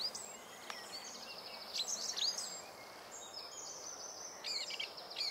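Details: Song Thrush, a brown spotted-breasted thrush about blackbird size, singing a fast, varied song: high whistled and trilled phrases jumbled together, fairly faint against steady background hiss.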